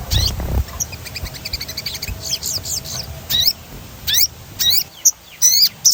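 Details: Sogon bird in lively, rolling song, played to stimulate other birds to sing: sharp high chirps and quick down-slurred notes in scattered bursts, with a brief low thump at the start.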